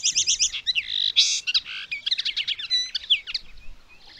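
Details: Common linnet singing on 19 May 2021: a rapid, varied twittering run of high chirps, short trills, buzzy notes and brief whistles, delivered almost without pause for about four seconds, with no other sounds standing out.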